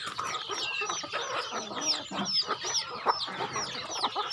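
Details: Rural farm chickens calling as they are fed, a crowded mix of thin falling peeps and low clucks, with some soft scratching and rustle underneath.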